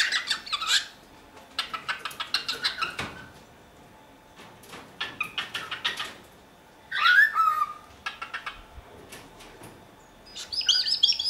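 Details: Pet cockatiel in Dortmund-Huckarde, Germany, giving bursts of rapid, scratchy chirps in clusters over about eleven seconds, with a short sliding whistle near the end and quiet pauses between bursts, indoors.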